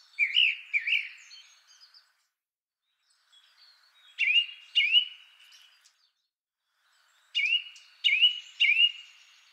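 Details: Song Thrush, a slow singer that separates song parts with long pauses and repeats notes two or three times. Three phrases, each a short whistled note repeated two or three times, spaced by several seconds of silence.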